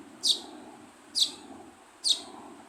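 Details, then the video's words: Baby sparrow chirping: three short, high, sharp chirps spaced roughly one second apart, each a quick downward-sweeping note, over a faint steady low hum in the background. "Baby Sparrow Chirping Sound"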